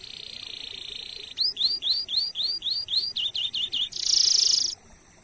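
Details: Canary used to stimulate other canaries to sing: a steady high hiss, then about ten repeated upslurred chirps in quick succession, closing with a bright buzzy trill.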